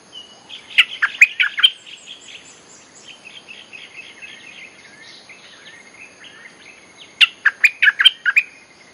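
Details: Bulbul song played to call in wild birds: an opening burst of rapid whistled notes, soft wavering whistles in the middle, then another lively burst.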